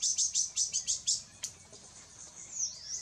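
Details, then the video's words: At Intervales State Park, Brazil, an Azure-shouldered tanager gives a quick run of seven sharp, high-pitched chips about seven per second, then a single louder note. Softer thin calls trail off afterward. "The endemic Azure-shouldered Tanager at Intervales State Park - Brazil"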